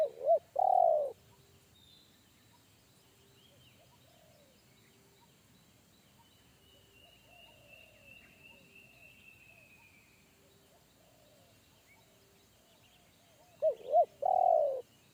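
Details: Wild forest spotted dove with a big bass voice in the one-coo style, heard by a shying trainee decoy; a loud phrase of short coos and a long coo at the start, another at the end, faint distant cooing between.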